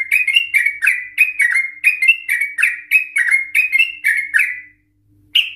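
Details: Sooty-headed Bulbul in an excited, emotional song used to lure others of its kind into trilling: a steady run of about fifteen bright, slurred chirps, rising and falling, roughly three per second, then a pause and one final note.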